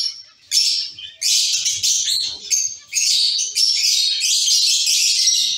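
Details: Zebra finch colony in a cage: loud high nasal calls, several birds overlapping into long buzzy stretches after a short quiet start, with faint low rustling.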